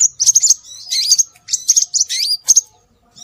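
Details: Scarlet minivet (sepah raja) lure recording for drawing birds in: bursts of very high, thin, quickly repeated notes mixed with short upslurred whistles, grouped in clusters separated by brief pauses.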